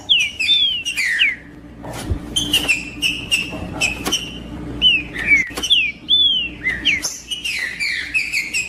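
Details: Green-winged saltator in macheando song, sung to warm up and train another saltator to sing; clear whistled notes slurring downward, grouped in phrases, with sharp clicks and a soft steady hum in the background.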